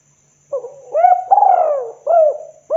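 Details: Spotted dove calling in the 'kuk 2' style, used as a lure to call other doves; soft, mellow cooing, a short coo, then a long rising-and-falling rolled coo, then another coo, with a faint high steady whine.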